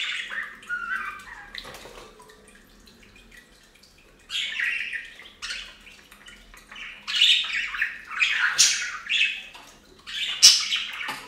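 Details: Pet budgerigars at a bath fountain; a quiet first half with a faint water murmur, then loud raspy chirps and warbling chatter building up toward the end.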